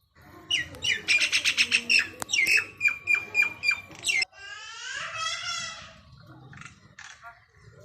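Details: Indian myna calling: a fast run of loud, harsh, rasping notes around a steady squeaky tone, about ten bursts in three seconds, then a softer warbling, chattering phrase with faint background chirps.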